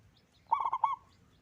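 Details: Zebra dove of local perkutut stock in full, loud song: a single short cooing phrase of four quick, throaty pulsed notes ending in a brief trailing hum, with quiet background.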